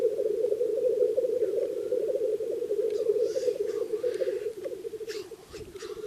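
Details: An old male black grouse at a spring lek, calling in the cold before dawn to herald the morning, gives a steady, low, dove-like bubbling rookoo that rolls on unbroken, with faint higher chirps behind.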